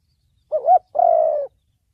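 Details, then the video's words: Single cooing phrase of a spotted dove in the 'thổ bầu' style, used as a lure for trapping and decoy training: a brief wavering coo followed by a longer, steady, slightly falling note. "Tiếng chim cu gáy giọng thổ bầu chuẩn âm mới nhất, kích bổi,đi bẫy, tập mồi"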